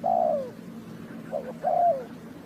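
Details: Spotted dove cooing in a bird-trapping recording from Ninh Thuận: a sliding, falling coo, a soft short note, then another long downward coo.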